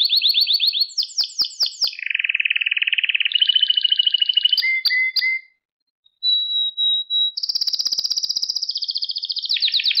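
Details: Canary singing, made to teach young canaries their song: descending chattering notes, a low buzzy roll, short whistles, a brief silence, a thin pure whistle, then a steady high trill dropping in steps.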